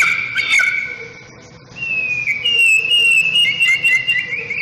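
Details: White-rumped shama sunned in the morning, giving long drawn-out pure whistles, steady and slightly wavering, after a short burst of mixed notes.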